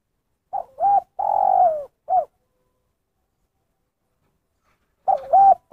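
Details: Spotted dove delivering its 'kuk satu' call. One full low phrase of dipping double coo, long falling coo and single short kuk, then a pause of about three seconds before the next phrase begins.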